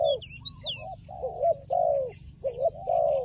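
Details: Fighting turtle dove cooing in low, wavering, throaty phrases, while another bird adds a few high, thin whistled notes near the start.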